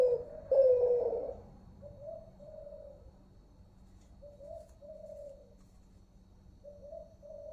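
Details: Zebra dove of the Kelantan call type in Malaysia: one loud rolling coo opens, followed by quieter paired coo notes repeated at a steady, unhurried pace over a faint background hum.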